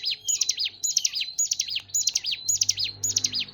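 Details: Hill prinia song: bright, high-pitched clustered chips falling slightly in each burst, bursts coming roughly twice a second over a short stretch, background otherwise quiet apart from a low hum.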